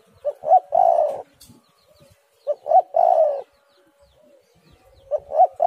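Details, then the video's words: Spotted dove calling, played as a lure so other doves start calling: each phrase has two short soft notes and then a long, low, slightly falling coo. The phrase repeats about every two and a half seconds against a quiet background. "tekukur super gacor suara burung derkuku"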